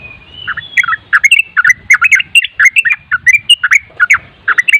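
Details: Sooty-headed bulbul singing in a rapid, continuous nropel style, a master recording meant to provoke other bulbuls to answer: dense bubbly chirped notes in quick succession, rising and falling, some clipped whistles, with soft low rumbling underneath.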